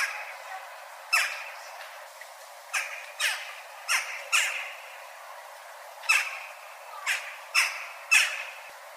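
Western jackdaw giving about nine short, harsh, clipped 'chak' calls at an uneven pace, a second or so apart. A faint steady background hiss runs underneath.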